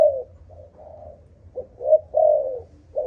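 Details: Cooing spotted dove from a Malaysian bloodline, 'âm thổ' earthy-tone style: short hollow notes, then a louder drawn-out falling coo, over a faint low hum.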